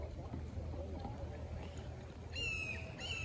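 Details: A hawk at Rainbow Springs, Florida, heard from the river on a windy, clouding day with distant thunder, gives two loud, harsh, slightly falling screams in quick succession near the end, over a steady low rumble of wind and water.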